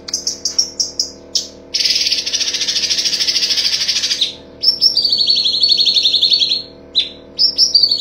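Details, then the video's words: Cucak cungkok full tembakan, used to train other songbirds: quick high chirps, a two-second harsh continuous shrill rattle, then a long buzzy trill sliding slightly downward and closing staccato chirps. "Masteran Cucak Cungkok ~ Full tembakan"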